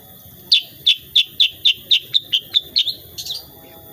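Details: Sooty-headed bulbul (kutilang sutra) singing in the lively tembakan, or shooting, style: a fast run of about ten sharp, bright, high chip notes, evenly spaced and slightly downslurred, ending in a softer trailing twitter.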